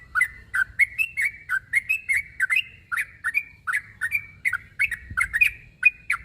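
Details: Sooty-headed bulbul calling to a rival, a call said to make other bulbuls answer: a steady run of bright, bubbly two-part notes, roughly three per second, some ending in a short level whistle, with no pauses.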